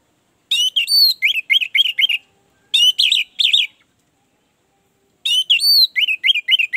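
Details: Orange-headed thrush song, played as a lure to coax a reluctant or silent caged bird into singing: three bursts of quick, clear whistled notes, some looping and falling, in short rapid runs with brief pauses between.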